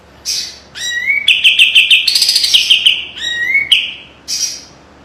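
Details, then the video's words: Kapas tembak white-eye giving a sharp training master song: soft high buzzes and upslurred whistles alternate with a quick, ringing trill of repeated notes. "SUARA KAPAS TEMBAK TAJAM DAN PEDAS‼️ SPESIALIS BESETAN RAPET PALING COCOK MASTERAN"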